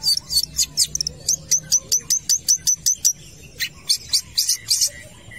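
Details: Long-tailed shrike in full song at a football field: a steady series of clipped, high, ticking notes repeated about four times a second, with a brief pause before a quicker, scratchier burst.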